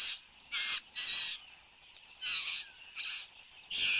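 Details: Satin bowerbird, a male in action at his bower in Australia on the morning of 10 January 2015: rasping, mechanical buzzes in bursts of a quarter to half a second, given in uneven clusters, with a faint steady background hiss.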